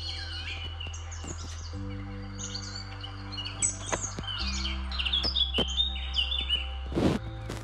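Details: Wild parakeets in St. James's Park, London: busy high chirps and short squeaky notes in quick, irregular succession, with a sharp burst near the end, over steady low background music.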